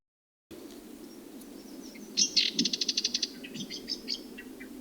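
A songbird gives a few high chirps, then a fast, even trill of about eight sharp notes, and ends in scattered twitters over a low, steady background hum.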